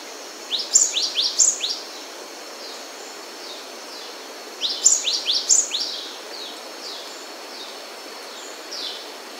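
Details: Cinereous tit song: two bursts of thin, high, rising whistled notes in quick runs of about five, roughly four seconds apart, with fainter similar notes trailing off afterwards against a steady hiss of background noise.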